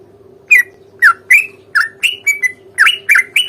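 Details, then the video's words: Provoking fighting song from a sooty-headed bulbul: lively bubbly slurred phrases, rising and falling, speeding up toward the end, with a constant faint hum. "trucukan gacor tarung ROPEL PANJANG pancingan trucukan agar bunyi JADIKAN burung trucuk GACOR nyaut"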